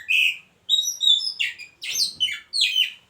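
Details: Caged white-rumped shama hung near a mating pair, singing clear high whistles then a run of short buzzy, slurred phrases, each separated by brief pauses.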